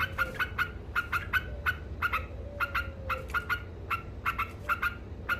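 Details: Cackling 'ngekek' song of a yellow-vented bulbul (trucuk), said to anger opponent birds: harsh, buzzy 'kek' notes delivered in loose doubles and triples at an uneven pace, with a faint low hum behind.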